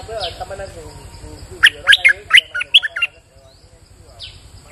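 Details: Bulbul recorded on a rainy day, singing a quick burst of about six loud, liquid whistled notes rising and falling, then falling quiet; a man's voice is heard before the phrase.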